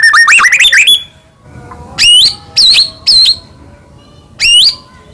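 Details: Singing white-rumped shama meant to stir other shamas to answer: a fast burst of looping whistles, then short loud upslurred whistled notes spaced about a second apart, with gaps of quiet between.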